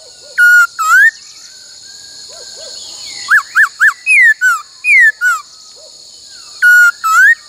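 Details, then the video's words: A laughingthrush sings a many-voiced song used for training other birds: loud, clear whistled phrases of flat notes sliding upward, a quick run of three rising whistles, then falling slurs, over a steady high insect-like hiss. "Luyện khướu hót bắt cô trói cột , luyện hót nhiều giọng cực hay"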